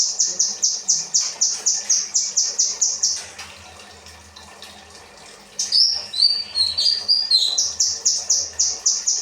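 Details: Kinoi, a cage bird, singing training material: a fast run of about thirteen bright, high, evenly repeated chip notes, a short pause, then a tumbling warbled phrase that slides back into the same quick repeated notes.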